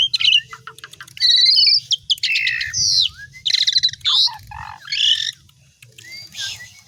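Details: Lively Asian pied starling song used to teach other songbirds: scratchy chattering phrases alternate with looping whistles and harsh grating notes, varied and rapid with brief pauses.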